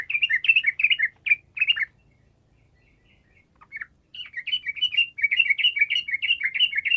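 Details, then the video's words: Sooty-headed bulbul singing energetic bursts of bubbly, warbled notes in two phrases split by a short pause, played as a lure to prompt silent birds to answer. "TRUCUKAN GACOR ampuh memancing trucukan bisu langsung nyaut"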